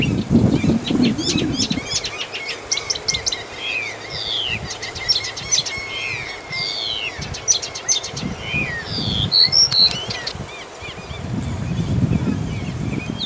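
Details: Stationary Blyth's reed warbler singing at Galtås just north of Glommen, Falkenberg, Sweden: varied high notes, slurred downward whistles and repeated clicking phrases, with low rumbling background noise at the start and end.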